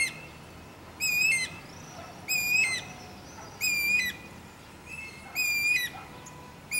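A Guira Cuckoo gives harsh, rattling, high-pitched notes, each about half a second long, repeated roughly every second or so with thin whistles between.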